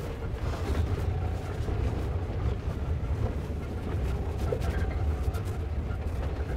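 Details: Continuous low vehicle engine rumble throughout, with faint background murmur and no animal calls.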